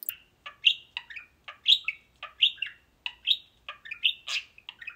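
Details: Two pet budgerigars at play time in their cages keep up lively high chatter: quick bright chirps and squeaky warbled notes tumbling out several times a second, with no other sounds.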